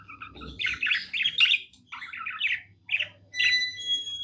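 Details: Pet budgerigar singing happily, a chattering warble of buzzy chirps and squawky notes in quick bursts, a brief pause near three seconds, then sharper whistled tones at the end; low electrical hum underneath.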